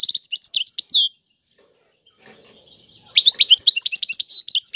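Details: European goldfinch song, said to be for mating, in twittering phrases: a quick run of chirps and downward slurs, a pause with soft rustling, then a denser burst of tinkling notes and buzzy trills.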